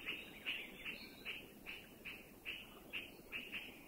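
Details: Puff-throated bulbul alarm, given as a warning of anybody or any danger in Thailand: coarse chirps repeating about every half second against a loud insect hum.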